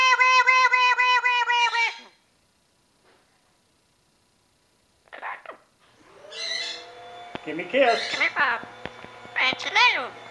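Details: A 10-year-old female Amazon parrot talks in a high voice. It opens with a two-second sung note, then after a pause gives a run of quick, speech-like phrases.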